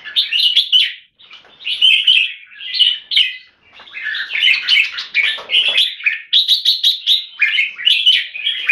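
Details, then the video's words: Red-whiskered bulbul in captivity in Singapore, singing with solid, clear 'keke' notes: lively warbled and chirped phrases, a short silence near the start, then rapid repeated whistled notes. "นกหัวจุก JAMBUL - SOLID CLEAR KEKE & SINGING"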